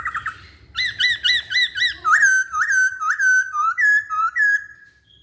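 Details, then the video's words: Masked laughingthrush song: five clear whistled notes in quick succession, then a run of about seven loud, slurred rising whistles, each just under a second long, over a faint low hum. "Kicauan Poksay Hongkong"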